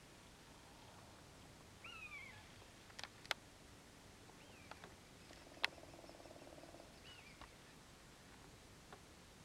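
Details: A Common Buzzard gives three faint, mewing, cat-like calls, each a drawn-out slurred whistle about three seconds apart, with a few sharp clicks and a brief low buzz.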